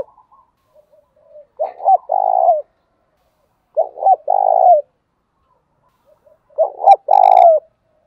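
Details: Spotted dove cooing from male and female birds, played to spur other doves to coo. Three low hooting phrases, each a quick stuttered double note then a longer falling coo, roughly every two and a half seconds, with faint soft notes between.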